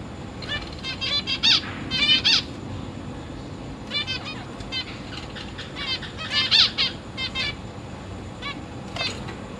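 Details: Zebra finch chicks, three juveniles and three newly hatched young, being fed by their parents in a large cage; bursts of thin, rapid, high buzzy begging notes in clusters, loudest around the middle and near the end, over a low background hum.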